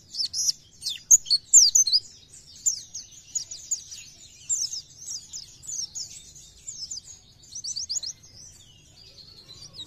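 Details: Oriental white-eye singing a fast, busy twittering song of high squeaky chirps and short trills, notes tumbling out in dense clusters with brief pauses.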